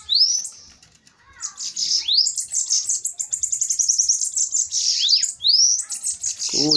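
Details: Two bananaquits duel in a fight. Rising whistled slurs lead into a rapid, high, ticking, buzzy trill, then more upward sweeps, with a brief lower rasping note at the very end.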